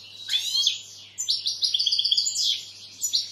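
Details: Short European goldfinch phrase: a descending twittered slur, then a fast run of tinkling, evenly repeated notes and buzzy high chirps.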